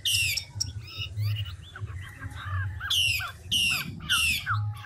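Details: Chinese hwamei, large and mature, wild-caught, in rapid ngũ trường voice-switching: loud buzzy harmonic phrases alternating with softer twittering slurred notes, against a background of low rumbling hum.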